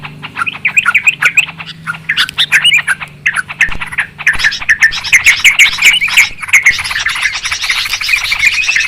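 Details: Noisy Yellow-vented Bulbul (trucukan) calling, a lure recording for trapping birds: excited bubbling chirps and squawky notes tumbling over each other, getting denser and louder toward the end.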